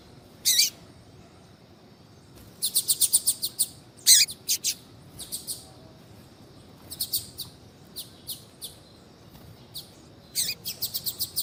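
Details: A female Double-collared Seedeater calls to rouse a male into song with clusters of thin, high, clipped notes, rapid runs of five or six chirps alternating with single sharp calls and short gaps, over faint hiss.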